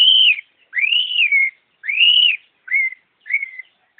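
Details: Long-tailed shrike singing slow, clear whistled notes, each a rising then falling slur, the first three long and the last few shorter, spaced about a second apart.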